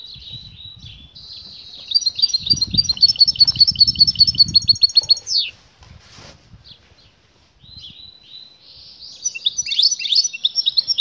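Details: European goldfinch pair, the female calling to make the male mate and the male singing; a fast ringing trill of repeated notes, a pause, then resumed dense twittering, with low rustling noise early on.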